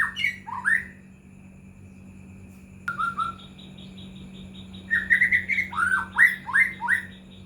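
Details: White-rumped shama song used as a lure to get other shamas singing: brief bright whistled notes, a pause, one flat whistle, then a run of quick rising and falling whistled notes, over a steady low electrical hum.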